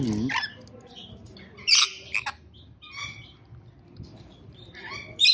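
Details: Rainbow lorikeet giving sparse shrill, grating squawks, a loud burst early and another at the close, with softer chatter in between.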